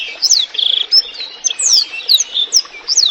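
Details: A chatty Black-throated canary, heard over gently trickling water and offered as tutor song for cage birds, pours out a continuous high, clear warble: sharp downslurred whistles, a short rapid trill and bright twittering notes.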